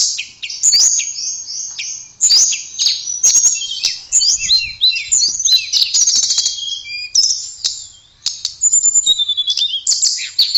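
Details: Blue flycatcher (tledekan) in steady, vigorous song: long chains of high sweet twitters and slurred whistles, repeated in waves with brief dips in loudness, crisp clicks scattered throughout.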